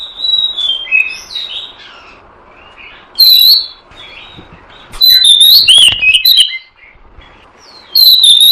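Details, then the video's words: Oriental magpie-robin (kacer) lure recording; rich whistled and slurred phrases with quick chirps, loud bursts between softer passages over faint background hiss. "Suara Pikat Burung Kacer"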